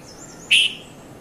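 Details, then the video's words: Single short, bright chirp from a red-vented bulbul (Konda Kurulla) in early morning, 5:30–5:40 a.m., at Mount Lavinia, Sri Lanka; one clipped note standing out against quiet background noise. "Red-vented Bulbul Bird Voice | Sounds of Bulbul | Morning"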